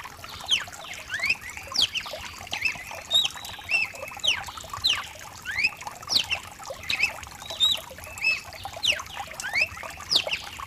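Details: Mutation cardinal singing over the sound of rain, meant to get another bird singing. Short, bright whistled phrases of swooping and falling notes repeat roughly every second, steady rainfall throughout.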